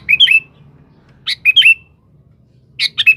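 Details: Sooty-headed bulbul singing vigorously to call a rival, offered as a lure recording: three quick bursts of liquid, bubbling notes rising and falling, each phrase about half a second, separated by short pauses over a quiet hum.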